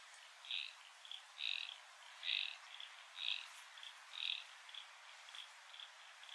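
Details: Rainbow lorikeets at Heatherdale Wetlands give harsh, shrill screeches roughly once a second, with softer chattering notes in between.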